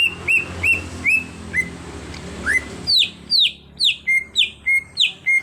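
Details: Cucak hijau (greater green leafbird), a raw bird trained into a keen singer, starts with soft whistles that build into loud, sweeping downward notes repeated at a quick, even pace.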